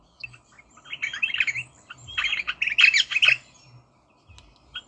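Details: Rosella squawking in harsh, buzzy bursts that run together into two long chattering runs. Brief pauses fall between them, and the background is otherwise quiet.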